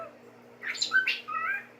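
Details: A happy 12-year-old male pet cockatiel gives a quick run of bright, squawky chirps that sweep up and down while his owner talks to him and asks him to sing.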